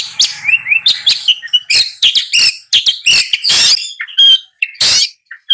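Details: Long-tailed shrike singing: harsh, scratchy broadband notes delivered irregularly, mixed with short clear whistled upslurs and thin high tones, with brief gaps between bursts.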